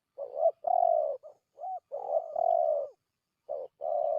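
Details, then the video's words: Spotted dove lure call used by bird trappers to attract wild doves: low, clear, hoarse cooing phrases repeated in bursts with short pauses, loud and clean with no other sounds. "suara pikat burung tekukur"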